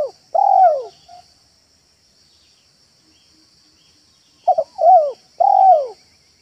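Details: Trained spotted dove in a yard, recorded for luring wild doves. A long arched coo opens, then after a pause a phrase of two clipped notes and two rounded, falling coos, with a steady high-pitched hum in the background.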